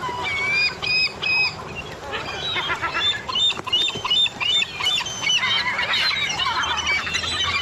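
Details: Several Glaucous-winged Gulls in Seattle give a busy chorus of thin, squeaky, high mewing notes, overlapping in quick bursts, over a faint outdoor hiss. These squeaky sounds are in addition to the species' alarm-like shrieking call.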